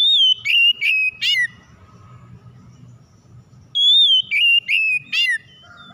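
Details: Oriental magpie-robin song meant to provoke a silent bird into singing: two loud phrases about three seconds apart, each a pure wavering whistle then three or four quick downward-sweeping notes, with a faint low rumble between.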